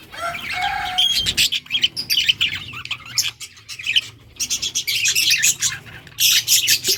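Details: Yellow budgerigars, August 6, 2024, open with a few clear whistled notes, then break into rapid clicking, scratchy chatter in pulses, ending with a dense loud chirping burst.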